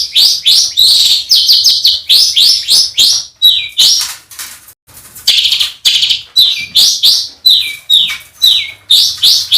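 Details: Master song for competition birds, rich in rough shot-like fillers: a loud, nearly continuous stream of quick, sweeping notes that rise and fall, broken by one short pause.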